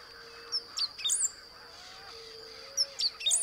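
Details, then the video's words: Great pampa-finch singing at the Blue-throated Macaw Reserve, forested savanna of lower Beni, Bolivia: a short high phrase of thin whistled notes and a squeaky buzzy flourish, given twice, over a steady high insect hum and a low droning tone. "Great Pampa-Finch (Embernagra platensis) Song"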